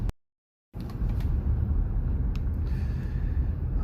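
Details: A brief dropout to silence, then a steady low rumble like a passing car, with no animal sounds.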